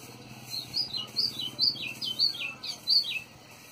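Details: White-throated seedeater singing well at a rural smallholding: a lively run of about eight quick, bright whistled phrases, each sliding downward, delivered in steady succession against a quiet background.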